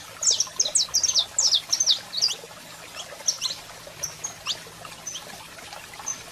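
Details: Saffron finch male singing with a calling female, for firing up other birds: rapid string of high, sharp chirps at the start, thinning to scattered single notes and a few thin whistles.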